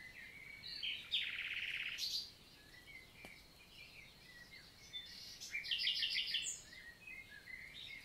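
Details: Common nightingale in countryside forest of La Vallée du Célé, Lot, France, singing on a June 2023 morning; two loud bursts of rapid, harsh repeated notes separated by quiet, with soft distant chirps between.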